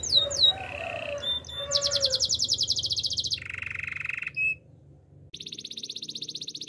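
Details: Male canary song made of distinct tours: brief falling whistles, a steady rolled trill, a very fast high buzzy rattle, then a lower rolling trill, a short pause and another rapid high rattle.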